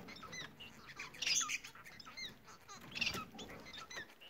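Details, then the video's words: Bengalese finches sing a chattering string of high, bending squeaks and short chirps, with two louder harsh bursts roughly two seconds apart amid light rustling. "Bengal ispinozu ötüşü Bengalese Finches society singing"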